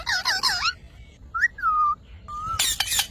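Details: Funny parrot sounds: a wavering nasal call, then clean slurred whistles, one flat and steady, ending in a brief harsh squawk.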